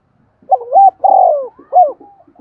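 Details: Spotted dove gáy thúc and gáy gọi coos used to attract wild birds: a rising doubled note, a long buzzy falling coo and a crisp short last note, followed by faint trailing murmurs.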